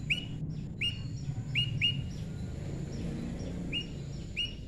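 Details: Prinia, a tame moss prinia pairing naturally, gives sharp chirps that are clipped and upward-flicking, in loose pairs spread across the recording, with faint twittering and a constant low rumble behind.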